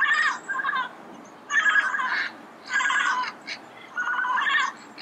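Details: Red-crowned amazon recorded in Pasadena early in the morning. Grating squawks come in four separate bursts about every second and a quarter, each a rough, slightly wavering cluster of notes.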